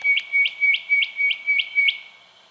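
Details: Spotted quail-thrush in Victoria, Australia, January 2012, giving seven evenly spaced piping notes at about three per second over a steady underlying tone, each note rising then falling; the series stops and fades into quiet.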